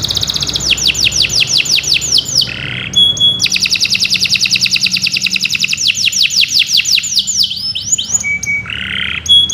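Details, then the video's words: Canary song used for training other caged birds, Kenari Nusantara style: two long bursts of fast downswept trills repeated many times per second, separated by short buzzy and whistled notes. "Kicau Burung Kenari 136 II LUAR BIASA GACOR PANJANG Cocok untuk Masteran"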